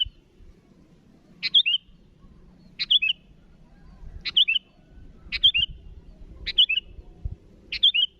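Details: Calling at rivals, a sooty-headed bulbul gives six bright, bubbly three-note phrases about every second, each opening with a sharp chip then two falling liquid notes, with low rumbling noise behind.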